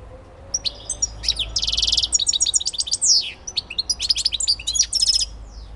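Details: Elbasan goldfinch song: lively, jangling twitter packed with short high chirps, a harsh buzzy trill near the start and quick slurred whistles, flowing steadily for almost six seconds.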